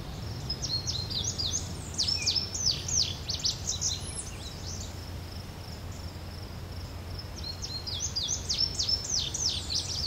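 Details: A male Indigo Bunting sings his territory song while doing a little dance on a branch: two bursts of high, quick, sweeping notes, often paired, a few seconds apart, over a steady low rumble.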